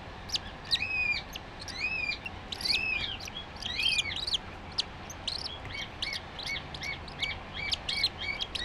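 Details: Cockatiel chick three days after hatching, born 5 July 2013 and very lively: high arched peeps at first, then a fast, regular run of short squeaky notes, over constant hiss and occasional clicks.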